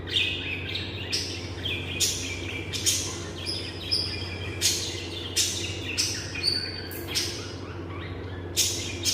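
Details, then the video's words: Pet lovebirds chatter with sharp, high, squeaky chirps and short shrill notes, several birds overlapping in bursts every second or so over a steady low hum. "lovebirds ' sounds Relaxing || Love birds sounds || Love birds parrots"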